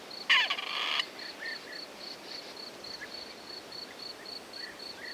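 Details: Grey partridge (Perdix perdix) in farmland meadow on a warm spring evening gives a single harsh, grating croaking call near the start, followed by steady, high, evenly pulsed insect-like ticking and a few faint distant chirps.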